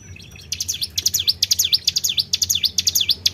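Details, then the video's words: Tribel bird call played to lure other birds, starting after a brief quiet moment, then a quick series of sharp, high, down-and-up swooping whistles, roughly two each second, over faint low background hum. "PANCING BUNYI BURUNG TRIBEL"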